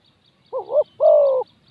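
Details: Decoy spotted dove luring wild doves, heard as one pair of coos: a short two-part wavering note and a long, steady, slightly descending coo, with faint high chirps behind.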